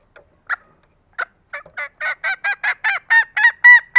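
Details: Female green junglefowl giving a lure call for lazy males: sparse clucks that speed up into a quick run of longer, ringing, harmonic notes, growing louder toward the end.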